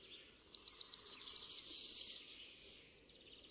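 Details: Yellowhammer song: a rapid series of about eight short, high, identical chipping notes, then a buzzy held note and a long, thin, high whistle that slides gently downward. No other sounds.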